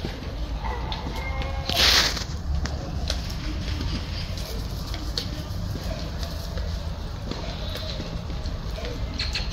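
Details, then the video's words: A grey heron in a breeding colony, in the breeding season, gives a single harsh, rasping croak as a territorial call while guarding its nest site, then silence over a steady low outdoor rumble. "왜가리 영역표시"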